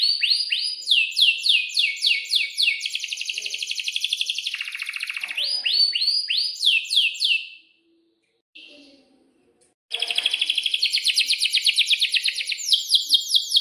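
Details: Atlantic canary in breeding condition performing a long roll: repeated steep downswept whistles and a buzzing trill, a pause of about two seconds, then a rapid pulsing rolling trill, sung to coax young canaries into answering.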